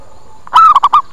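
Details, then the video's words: Single phrase of a local zebra dove lure call for attracting wild doves: a slightly rising lead coo, then three quick, rounded staccato notes. "Suara PIKAT PERKUTUT Cepat Pada Datang dan Nyaut"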